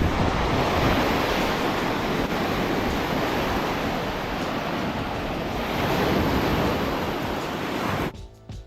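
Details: Strong wind rumbles against the microphone over surf-like rushing, then it cuts off abruptly near the end, with no animal calls.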